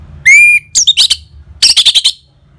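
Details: Orange-headed thrush, ngeplong style, used as a lure to excite caged birds: a short level whistle, then rattling, high chirpy notes in two quick bursts of about four and six notes.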